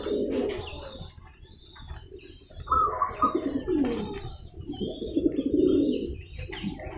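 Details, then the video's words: Local male zebra dove calling to provoke a rival to answer, a female also joining in; low, soft rolling coos in short bursts, a brief higher trill in the middle, with faint background noise. "Perkutut lokal jago memancing lawan agar mau bunyi."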